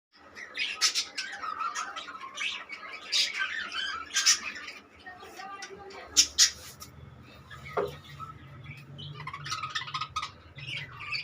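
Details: Several budgerigars in a breeding colony chatter together with busy, scratchy warbles and sharp chirps.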